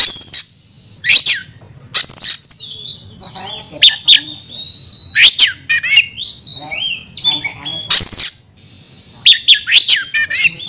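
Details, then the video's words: Oriental magpie-robin in an aggressive, persistent fighting song: loud, varied high whistled phrases with quick slurred and rising notes, broken by harsh, raspy, explosive bursts roughly every two to three seconds, with short silent gaps. "kacer gacor tarung ngotot agresivitas"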